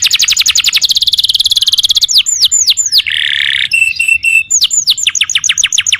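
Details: Canary in full song (kenari gacor): a fast high trill, a few slow drooping whistles, a harsh buzzy rattle, brief flat tones, then trilling again.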